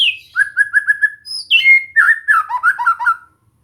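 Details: White-rumped shama song used to train a bird to sing more readily: a row of five clear whistled notes at one pitch, then a rising slur and a quick, tumbling run of rich warbled phrases.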